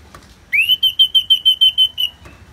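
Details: Ngeplong-style song of an orange-headed thrush with rain sound: one upward-sweeping whistle followed by about eight short, clear, same-pitched notes repeated quickly and evenly.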